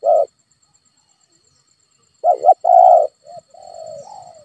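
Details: Spotted dove cooing, used as a lure recording for a caged dove that is reluctant to call: a short coo, a pause, then a double coo and a long full coo trailing into softer, lower notes.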